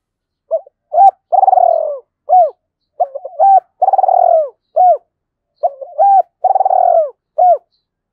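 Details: Decoy spotted dove calling to provoke wild doves into answering. Two phrases, each a short hooked coo, a long purring rolled note with rapid pulses, then two or three clipped arched coos, separated by brief silence; quiet background.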